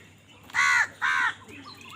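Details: Two loud, hoarse caws from a crow fighting for food, each about a third of a second long and close together, followed by faint bird chirps.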